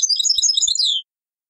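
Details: Brief burst of European goldfinch song in the taqsrain style, taken from an old cassette: a dense, bright jumble of high tinkling notes lasting about a second, closing on a downward slur.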